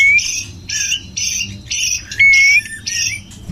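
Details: Courting male white-rumped shama calling to a female: a string of harsh, buzzy, grating notes, about one every half second, each broken by a clear rising whistle.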